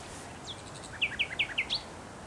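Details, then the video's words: Thrush nightingale song phrase from bushes, 8 May 2021: a row of five sharp, repeated down-slurred notes, each followed by a softer lower echo, closing on a higher rising note, over soft high chirps. "Śpiew słowika rdzawego w krzakach"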